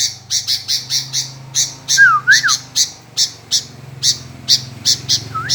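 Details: Sooty-headed bulbul singing gacor: a steady train of crisp high chips about two per second, broken by a couple of looping whistled notes, over a constant low rumble.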